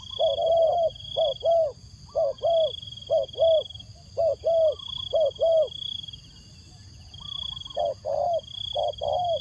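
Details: Spotted dove used as a decoy, calling to attract wild doves. Mellow low coos come in quick doubled phrases, a pause near the middle, then more paired notes; a constant high-pitched ringing tone runs underneath.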